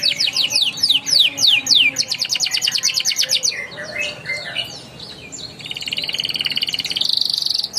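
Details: Young-canary training song meant to get silent canaries singing: rapid descending whistled sweeps, then a dense metallic rattle, a softer jumbled stretch, and a long high buzzing roll at the end.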